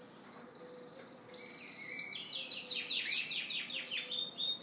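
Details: Male Yorkshire canary trying to attract a hen with song and dance: thin, sustained high notes at first, then a quickening rolling trill of repeated swept syllables, over a faint hum.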